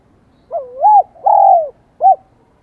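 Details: Single song phrase of a spotted dove from Vietnam, sung in the high 'giọng son' voice: a rising swooped coo, a longer sustained wavering coo, then a brief clipped closing note, loud and clean.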